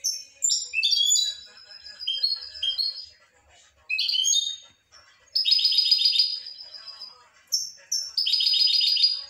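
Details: European goldfinch singing: bright, tinkling twitters and sweeping whistled notes, then dense liquid buzzy trills in bursts of a second or more, separated by brief silences.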